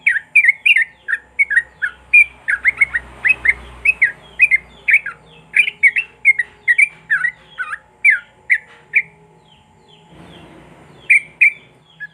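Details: Long rapid run of sooty-headed bulbul song, used as prompting material for bulbuls that have gone quiet: quick, chirpy, warbled notes in a continuous stream, a short break with a rustle, then the song resumes.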